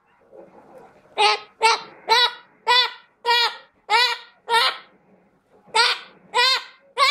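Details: Chestnut-fronted macaw giving a series of about ten loud, harsh, evenly spaced squawks, roughly two per second, with one short pause midway.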